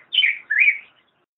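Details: Black-headed grosbeak singing: two short warbled phrases, each sliding down and then up, rich and robin-like, with a brief pause between them and a quiet background.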